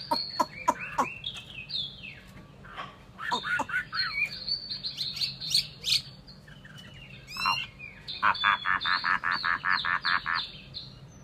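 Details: Chinese hwamei song of mixed sharp notes and whistled slurs, ending in a fast, even series of about a dozen repeated bright notes, with a low hum behind.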